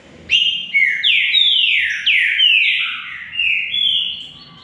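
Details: Green-winged saltator during a singing duel with another bird: a sustained phrase of loud, rich whistled notes, each sweeping downward, linked almost without pause for four seconds before fading.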